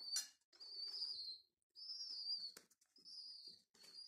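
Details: Homing pigeon chicks, taken from a mosque tower during renovation and now being hand-fed indoors, give thin high whistled begging squeals, drawn-out notes of about a second each repeated with short gaps, with faint handling noises.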